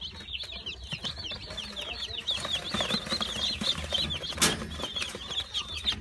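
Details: New Brahma chicks, dated 22 April 2018, kept together; a dense chorus of high, thin peeps, each a short downward-curving chirp, many overlapping at about two per second, with light rustling and scratching.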